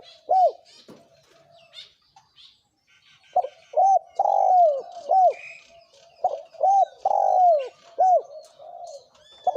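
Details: Thổ kim cooing from a male and female spotted dove, played to lure wild doves. Mellow, low coos come in bursts of two to four bowed notes with short pauses, over faint, scattered high chirping from other birds.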